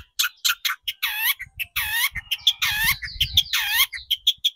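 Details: Long-tailed shrike recorded as a lure to excite shrikes into singing, mixing sharp raspy notes with longer, bending, harmonic squeals in a busy, varied phrase over a low murmur.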